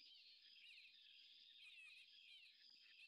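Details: Hartlaub's (white-rumped) Babblers, resident at Mahangu Lodge in Namibia and often heard before seen, give a very loud, harsh, raspy chattering of several overlapping voices, continuous for three seconds, over a faint hiss. Finding: Hartlaub's Babbler.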